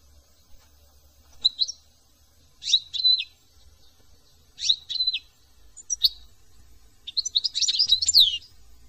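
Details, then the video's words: European goldfinch from France singing a series of short, high twittering phrases about a second apart, building into a dense, rapid jumble of tinkling notes at the end. "chant de chardon"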